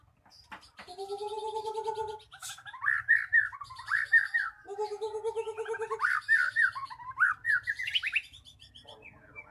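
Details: Lure song of a magpie-robin to coax stalled birds into full voice: low steady whistles, then looping, bubbling phrases repeated twice with rising flourishes.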